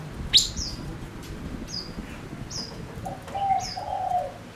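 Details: Gouldian finch, a male used as a lure bird, gives a loud opening chirp then spaced thin descending whistles, with a low cooing call near the end.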